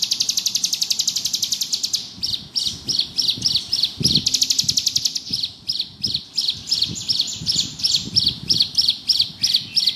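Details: Bar-winged prinia, locally ciblek gunung, singing ngebrem. A rapid high trill breaks into separate sharp chirped phrases repeated about twice a second, with short renewed trills between. A soft thump sounds near four seconds.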